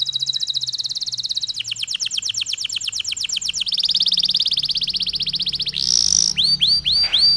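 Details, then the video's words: Lure song of a canary, long and broken by pauses, meant to stir other canaries into singing; a chain of rapid high trills, each tour changing speed and tone, ending in a few separate swooping whistles. "PANCINGAN KENARI STRES, KENARI GACOR PANJANG DENGAN JEDA"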